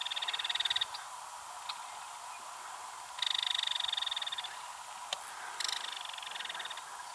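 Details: Female belted kingfisher rattling in Pike County, Missouri, at Ted Shanks Conservation Area after another kingfisher's fly-by: fast, harsh clicking bursts, a short one at the start and a longer one midway, then a fainter trailing rattle.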